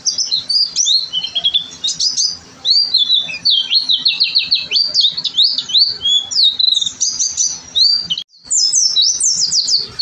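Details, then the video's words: Gacor song of an oriental white-eye, kept as a masteran for tutoring: a dense, unbroken stream of very high, quick chirps and slurred notes with one short break near eight seconds. "pleci gacor"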